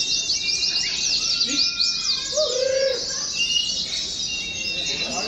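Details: Several caged Oriental white-eyes in a simulated competition for song training. Rapid high twitters sound together with long level whistled notes and a short buzzy phrase near the middle.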